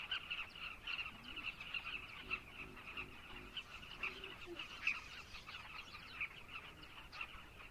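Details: A busy colony of carmine bee-eaters in Zambia gives a dense, overlapping chorus of short, rolling, throaty notes, many birds calling at once without pause.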